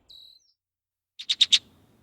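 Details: Red-winged Blackbird giving its intense alarm, a fast scolding 'check, check, check': four harsh, clipped 'check' notes in quick succession, preceded by a thin, high, level whistle.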